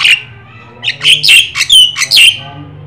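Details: Energetic black-winged starling song, white-eyed form, used to stimulate other birds to sing: one squawk, a pause, then a loud cluster of harsh, scratchy notes mixed with a clear whistled slur.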